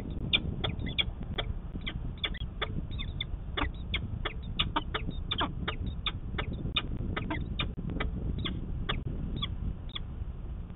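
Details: Peregrine falcon at a nest ledge in Manchester, New Hampshire, on 24 March 2020, as the female lays her first egg and the male puffs on the ledge; rapid harsh short calls repeated several times a second over constant low rumbling noise.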